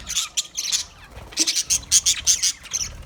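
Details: Green budgerigar giving rapid, scratchy, high chirps and squawks in short bursts, a few per second, with a denser run of sharp chatter in the second half.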